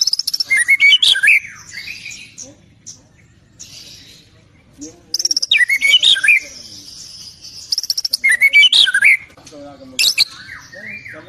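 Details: Singing white-rumped shama with its complete repertoire (isian): rich swooping whistles rising and falling, each phrase introduced by a crisp high chatter, three main bursts separated by quieter pauses with soft lower notes.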